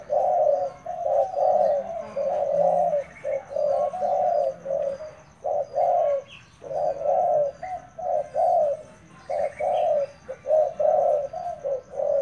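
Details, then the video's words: Spotted dove decoy bird giving low, hollow coos in rapid runs of broken phrases, nearly continuous; faint chirps from small birds and a thin steady high whine behind. "Dợt cu gáy mồi"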